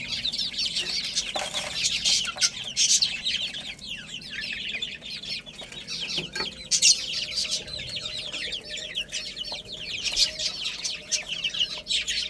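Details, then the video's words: A long stretch of chicks playing and feeding, with an unbroken chorus of thin, high, falling peeps from many birds. Loud bursts come and go over soft clicking taps. "Cute Little Chicks Chirping Sounds"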